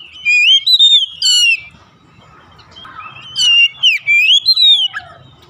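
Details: Oriental magpie-robin, a house-kept bird, singing to trigger song in birds that seldom sing: two loud whistled phrases with rising slurs and harmonic-rich notes, a soft pause between.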